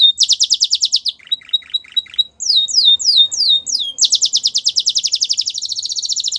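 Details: A white Belgian canary sings quick high trills, a patch of lower chips, then swooping slurred notes and a long, fast, bright trill to the end.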